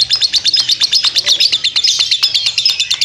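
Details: Long ngekek chatter from a lovebird: rapid, shrill chirps pulsing several times a second in an unbroken, scratchy stream of high notes.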